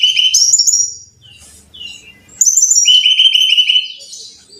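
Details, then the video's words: Brown-chested jungle flycatcher singing, played to coax caged birds into song: two loud bursts of fast repeated notes, rising then steady, separated by a near-silent gap. "Pancingan Masteran Suara Burung (SIKATAN RIMBA DADA COKLAT)"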